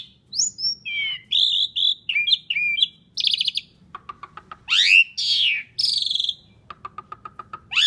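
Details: Asian pied starling giving varied lure song, with whistled and buzzy phrases, a sharp rising slur and bursts of rapid clicking rattle in between.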